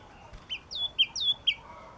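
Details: Yellow-cheeked tit song, a crisp run of sharp two-part whistles, a high downslurred note dropping onto a steady lower tone, repeated four times in quick succession against a quiet hissy background.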